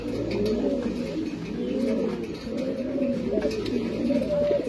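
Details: White king pigeon giving low, rolling coos in overlapping bursts, with several pigeons calling together in a small enclosed space.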